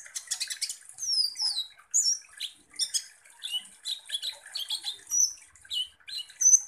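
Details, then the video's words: Lively kolibri ninja sunbird song played as a provoking lure: bright, very high twitters and short downslurred whistles delivered in a steady chattering stream. "KONIN Langsung EMOSI dan NGOBRA dengan PANCINGAN kolibri ninja GACOR ini"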